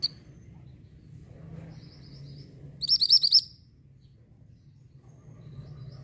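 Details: Orange mantenan bird singing as a tutor recording for white-rumped shama: a brief half-second flurry of about five high, buzzy notes amid soft low hum and faint chirps.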